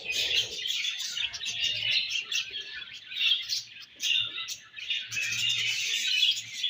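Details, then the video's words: Budgerigars chirping while feeding and exchanging food: a dense, continuous chatter of warbled, buzzy high notes from several birds, swelling and dipping, with soft low thumps beneath. "Budgies Chirping Sounds"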